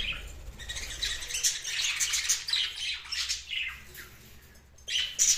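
Budgerigars chatter in a busy stream of high, scratchy chirps and squawks.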